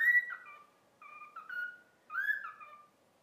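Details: Whistled song of a cockatiel taught "If You're Happy and You Know It": three bright, slightly rich whistled phrases, each a quick upward slide followed by falling, stepped notes, with brief silences between them.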